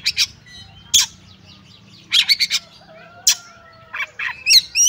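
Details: Oriental magpie-robin in fighting mode ('kacer tarung ngobra'): scattered harsh buzzy rasps and short chatters separated by pauses, with a faint long whistle sliding down in the background.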